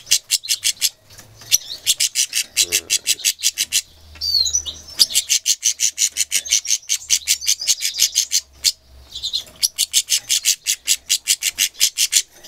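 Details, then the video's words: Goldfinch mule, described as angry, recorded 2 June 2011 or 6 February 2011: rapid series of bright, high, scratchy chirps repeated about three per second, broken by short twittering warbled phrases and brief pauses. "Angry goldfinch mule"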